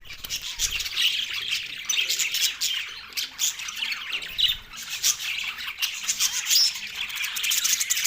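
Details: Green Australian budgerigars, several birds, calling happily while eating; dense, continuous warbling chatter with scratchy squawks and chirps overlapping throughout.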